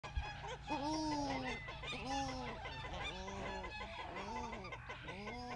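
Australian shelduck giving a run of loud, nasal honking calls, each arched and slightly falling, about one per second, with several birds overlapping over a low steady hum.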